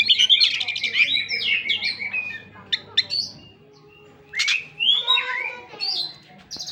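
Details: Kacer (Oriental magpie-robin) singing gacor: a burst of scratchy chatter and whistles, a quieter lull, then clear rising and falling whistled phrases.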